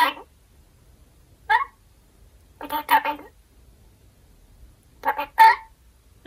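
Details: A pet red-collared lorikeet mimics human speech in short, nasal, word-like bursts, some single and some in quick pairs, with quiet pauses between. The phrases include "want to eat grapes" and its own name, said playfully when it realises no snack is coming.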